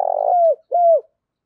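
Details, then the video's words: Decoy spotted dove calling in the morning to attract wild birds, giving a burry note that flows into a smooth, falling coo, then a second clean, descending coo. "Tiếng Chim Cu Mồi Gáy Gọi Bổi Buổi Sáng"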